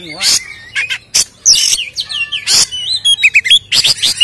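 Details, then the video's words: Vigorous fighting-style Oriental magpie-robin song meant as a lure to agitate rival birds. Bursts of harsh, noisy notes alternate with clear slurred whistles and quick twittering runs, delivered loud and fast. "SUARA BURUNG Kacer gacor isian NGEPLONG TARUNG ini paling AMPUH buat PANCINGAN KACER agar EMOSI"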